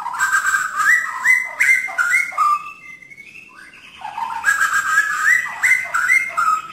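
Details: White-rumped shama delivering 'tembakan' song: rapid repeated whistled phrases jumping between mid pitches, a brief softer rising glide in the middle, then another dense burst of quick whistled notes.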